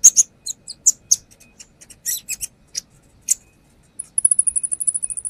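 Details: Brown-throated sunbird in full song for use as a lure, spilling its repertoire: scattered sharp high chips and clicks, then a fast, even trill of very high thin notes at the end.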